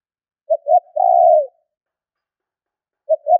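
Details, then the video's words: One spotted dove lure phrase used to call in wild birds: a short note, a rounded coo, and a sustained purring coo that trails downward, then a pause before the next phrase begins at the end. "Tiếng chim cu gáy gọi thúc kích bổi nhanh nổi"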